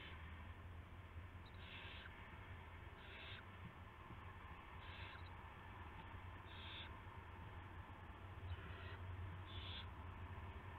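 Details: Owl sounds at a nest at dawn on March 9, 2016, as prey, a rat, arrives: a series of short wheezy hissing bursts about two a second apart, low hum underneath.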